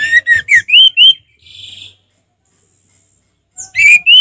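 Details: Relaxed ngeplong song of an orange-headed thrush: a run of clear rising whistles, a soft buzzy trill, a silent pause, then more loud rising whistled notes.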